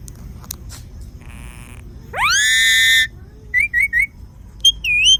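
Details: Parrot in a south Indian zoo making varied sounds: a loud, harsh, rising screech lasting about a second, then short clicks and three quick warbled whistles, ending in a looping whistled note.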